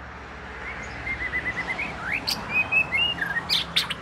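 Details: Southern Thai binla, the Oriental magpie-robin, first of the household: soft, varied whistled phrases with rising slurs and short bright notes, moderately loud against steady background noise.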